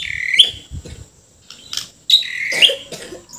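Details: Bornean white-rumped shama singing strongly with filler and rough notes: high thin whistled notes with a bright peak, two phrases separated by a pause, with soft low knocks between.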